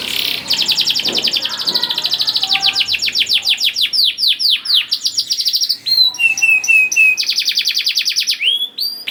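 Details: Canary song used as a lure to get young canaries singing quickly: continuous high trills and rapid rolls, with fast repeated chirps, sweeping whistled notes and abrupt switches between phrases, about three notes a second.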